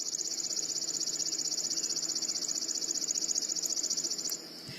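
A Chipping Sparrow sings its long, dry trill: one high chip repeated very fast and evenly for about four seconds, then stopping abruptly over a faint hiss.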